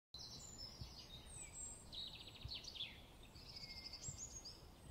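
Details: Eurasian bullfinch chick begging while a parent feeds it, close-up: high, wheezy begging notes in rapid, buzzy bursts over a low background rumble.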